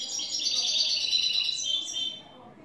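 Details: A new European goldfinch delivers clean song of the "el tres vueltas" style: an unbroken run of high, rapid, liquid twittering and trilled notes lasting about two seconds, ending with a few sharper rising chirps before fading.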